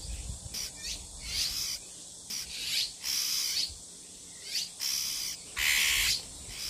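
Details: A Bull-headed Shrike parent nesting in a persimmon tree at a farmhouse in Geumsan, South Chungcheong, Korea, guarding six nestlings, gives unusual harsh, scratchy high-pitched bursts, six or seven in quick succession, each under a second.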